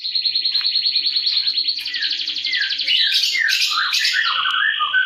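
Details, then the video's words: Canary singing to prompt silent canaries and serve as a master recording: a long, even, high rolling trill, then a denser burst of buzzy notes and quick descending swoops, strong and continuous throughout. "KENARI GACOR ATAS BAWAH || cocok buat pancingan kenari macet bunyi & masteran burung"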